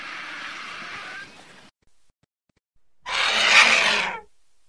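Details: Griffon vulture (Gyps fulvus): a drawn-out breathy hiss fading away, silence, then a second, louder, rough hissing blast lasting about a second.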